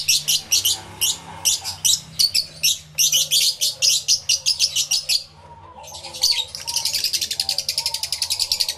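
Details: Many lovebirds in an aviary, including yellow-collared lovebirds, recorded live with a camera and two external microphones: shrill, buzzy chirps repeated quickly in bursts, then a dense, continuous chatter of overlapping calls, with softer whistled notes underneath.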